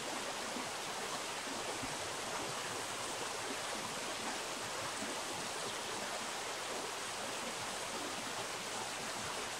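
Steady rushing of a stream or small waterfall fills the whole recording, with no animal calls heard.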